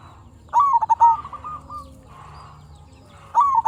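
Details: Zebra dove from a local line singing to provoke other doves into song; one rippling descending trill with a few trailing coos, a quiet pause, then the next phrase starting.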